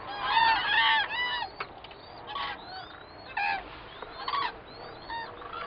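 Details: Common cranes recorded from a hide at Gallocanta, 2 February 2013, give loud, rolling, trumpeting calls from several birds at once, in overlapping bursts roughly every second, with a low background rumble.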